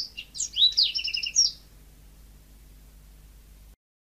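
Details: Yellow-fronted canary song in a short burst of about one and a half seconds: a few quick high notes, then a rapid twittering trill. Near silence follows.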